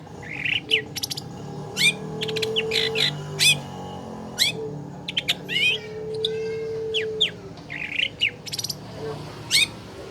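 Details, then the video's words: Lure song of a long-tailed shrike for coaxing a caged bird that will not sing: rapid varied chatter mixing clicks, sweeping whistles and short buzzy rattles, steady throughout, with a faint hum. "PANCINGAN CENDET MALAS BUNYI"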